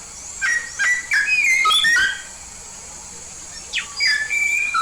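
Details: Yellow-faced myna from Papua in full voice: a run of loud, clear whistled notes, some rising and some sliding down, packed into about two seconds, a pause, then another short phrase of whistles.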